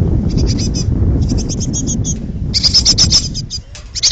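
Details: Hungry young great tits about to fledge, in a pollard willow, beg in bursts of rapid, harsh, high chattering notes, each burst about half a second long, over a low rumbling background.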